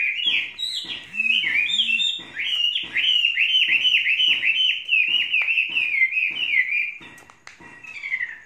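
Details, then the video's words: Tame Chinese hwamei, kept three seasons, singing a continuous run of rich, loud whistled phrases, quick rising and falling notes tumbling one after another with varied, slurred ornaments and few pauses. "Hoa mi hót cực hay"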